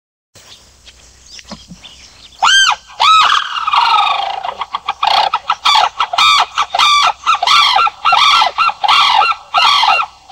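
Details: Sarus crane (Grus antigone) bursting into loud, rapid trumpeting after a quiet start, rhythmic rising-falling notes repeated about every half second, harsh and ringing with strong overtones, some overlapping calls suggesting more than one bird.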